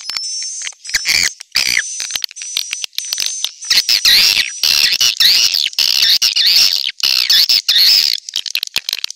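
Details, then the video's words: Swiftlet attraction call: an almost continuous, dense chatter of high twittering chirps with a thin steady whistle-like tone running beneath, hardly pausing throughout. "SUARA PANGGIL WALET"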